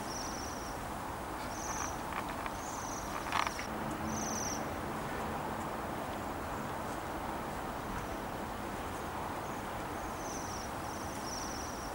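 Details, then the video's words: Waxwings newly arrived in Bryansk city in December 2023 give thin, high, trilled 'sirrr' calls, repeated every second or so, over a steady rumble of city traffic. "Waxwings have arrived in the city."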